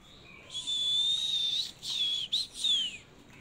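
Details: Long, pure, steady whistles from a hand-reared caged Oriental magpie-robin: one sustained note over a second long, then shorter clipped notes and a final downward-sliding whistle, in quiet surroundings.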